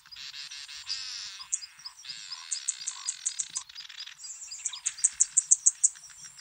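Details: At a communal nest shared with white-winged widowbirds at Transport Dam in Kruger National Park, southern masked weavers chatter in a dense, buzzy, sizzling stream with runs of sharp high ticks, amid the widowbirds' zeh-zeh-zeh calls.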